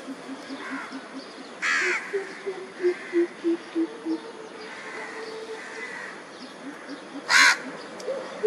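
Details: Andaman coucal, also called brown coucal, on Andaman Island, India, in March 2020: a steady run of about eight deep, hollow, low hoots over two seconds, framed by loud harsh caw-like calls before and after.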